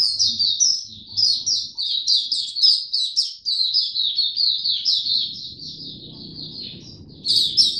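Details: White-eye kept in a cage singing openly. It gives a long, fast, high-pitched chattering warble of tightly packed notes that runs almost nonstop for several seconds, with a soft low hum underneath.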